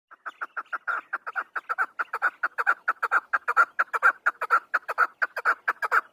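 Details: Afghan chukar partridge (chakor) calling: a fast, steady series of harsh clucking notes, about two per second, repeated throughout with slightly rising loudness, no other sounds.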